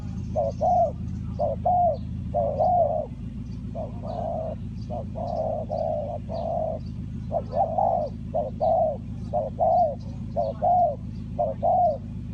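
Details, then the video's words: Spotted dove from Ninh Thuận, Vietnam, recorded in a bird-trapping setting. It gives mellow cooing notes in short-long pairs, about one phrase per second, over a steady low rumble and faint high chirps. "Cu gáy Ninh Thuận,นกเขาใหญ่สายต่อดิน,Tekukur pikat,The Sound Of dove"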